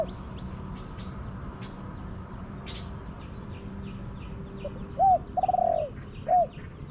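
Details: Wild spotted dove in an orchard, answering a decoy bird: one phrase of a short arched coo, a longer rolling burred coo falling at the end, then another short coo, over quiet rural background.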